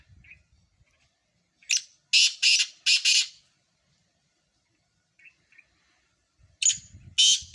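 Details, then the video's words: Sindhi black francolins, four birds in a calling competition: a note with a thin whistled tail, then three loud harsh grating bursts in quick succession, silence, and two more rasping notes at the end over faint low rumble. "4 سندھی کالے تیتر مقابلہ"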